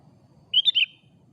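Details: Sooty-headed bulbul lure song in the afternoon: a single short phrase of three bright, bubbly whistled notes, the last one sliding downward.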